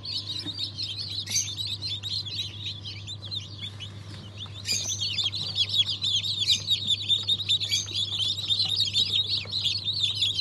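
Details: Newly hatched chicks of Cream Legbar, Australorp and Ayam Cemani breeds from 07.02.2023; steady high peeping grows louder and denser midway, many birds calling together over a constant low hum.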